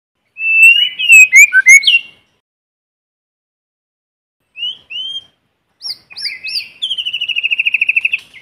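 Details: White-rumped shama singing in forest, a lure bird recorded without background noise: clear whistled phrases and quick chirps, a pause, then rising notes ending in a rapid trill of repeated notes.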